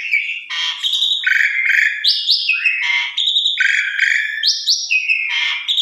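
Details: Javan pied starling song used as a lure for quick response: rapid run of stepped whistled notes alternating with scratchy chatters, phrases repeating at a brisk, uneven pace with no pauses.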